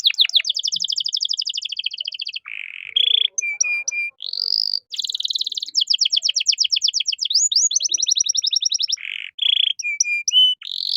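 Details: Caged canary singing a rich, ornate song meant for training other songbirds: long rapid trills, short buzzy rattles and clipped steady whistles, alternating in quick succession.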